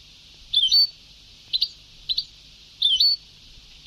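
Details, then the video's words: European goldfinch from a very old Sebtaoui-style song tape: high twittering notes with a hooked upslur, then brief double chips, over constant hiss. "Canto del jilguero antiguo شريط تغريد سبتاوي قدييييييم"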